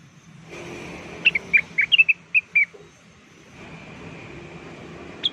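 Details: Blue-winged leafbird, locally cucak wilis or rengganis, in a lively lure recording: a quick run of about ten short, clear whistled notes that dip and flick, then a final single note, over a steady hiss and faint low hum.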